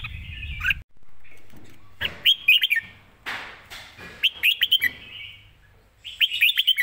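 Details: Live red-whiskered bulbul delivering quick riffs with good phrasing: repeated short phrases of three to four bright, bubbly whistled notes, roughly every two seconds, with a low hum at the start.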